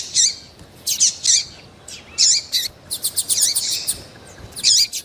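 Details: Female double-collared seedeater giving lively, repeated high-pitched chirps to excite males, clustered in quick runs of sharp notes with short pauses between.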